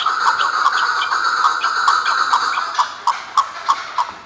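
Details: Chukar partridge (chakor) giving a steady run of hoarse, chattering clucks several times a second, with background hiss; the final notes stand out louder and more spaced.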